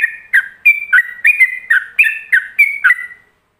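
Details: Yellow-vented bulbul in a brisk ropelan song intended for other bulbuls to mimic: a tight series of warbling whistled notes, about three per second, swinging between higher and lower tones before trailing off.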